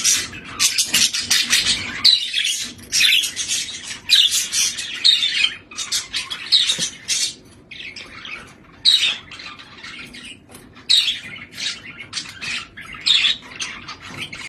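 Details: Pet budgerigar climbing a ladder back to its cage, giving harsh, scratchy squawks and chirps in quick irregular bursts, roughly one burst every two seconds, with short quiet gaps between runs.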